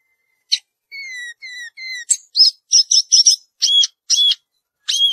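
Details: Samyong garugiwa song opening with three level whistled notes, then moving into loud, repeated chirping phrases with sharp rising and falling slurs.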